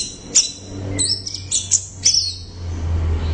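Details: Orange-headed thrush giving loud song of high, scratchy chirped notes in short bursts over a steady low hum.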